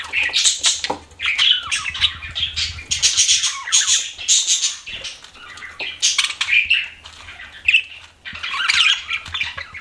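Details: Constant chatter from pet budgies: harsh squawky chirps and buzzy trills overlapping almost without pause, with brief gaps between louder phrases.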